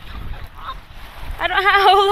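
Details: Geese calling while being fed: after a quiet start with faint background rustling, a single loud, nasal, harmonic honk bursts in and is held, slightly wavering, to the end.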